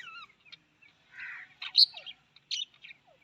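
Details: Australian parrot giving a mix of short whistles, descending slurred notes and harsh chattering bursts, with louder rasping squawks near the middle and end.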